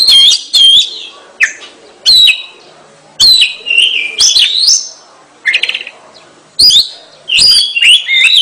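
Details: Lively gacor song of a kacer, the Oriental magpie-robin: loud short bursts of whistled slurs and chips, each separated by a pause of about a second, with some buzzy notes mixed in.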